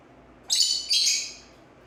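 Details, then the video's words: Pet green-cheeked conure giving two quick, grating, high screeches back to back, the second slightly longer and trailing off; no other sounds in a quiet room. "green cheek conure parrot cute bird talking funny"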